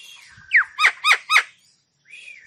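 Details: Javan myna in lively full-repertoire song, used to stimulate stressed or quiet mynas: four sharp, loud, downward-slurred notes in quick succession, followed by a soft trailing note.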